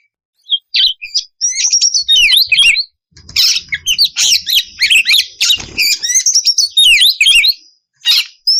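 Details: Oriental magpie-robin female in breeding condition calling the male: a dense, nearly continuous run of high, rapidly varied whistles, sweeping slurred notes and harsh buzzy chatter, broken by a few brief pauses.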